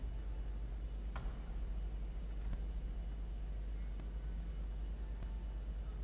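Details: Low constant hum with a few faint clicks and taps, and no animal calls.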